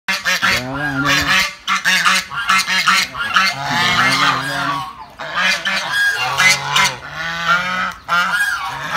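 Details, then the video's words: Angry geese honking loudly together, a harsh chorus of overlapping nasal, braying calls that rise and fall in pitch, coming in long bursts with brief pauses between them. "angry geese"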